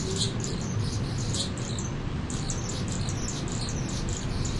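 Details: Territorial song of a mature male Anna's hummingbird guarding a feeder deck he held for six weeks: continuous high, squeaky, scratchy notes in quick clusters, with constant low background rumble.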